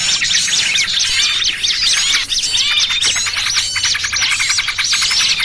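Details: Small birds calling in a noisy throng, a lure sound for bird trapping: bright, fast repeated chirps and arched whistled notes, several voices overlapping, steady and high-pitched throughout.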